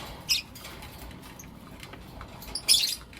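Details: Morning chirping from Blue Opaline and Lutino Opaline lovebirds. Two bright, shrill chirps come near the start and the end, with a faint rustle and soft clicks in between.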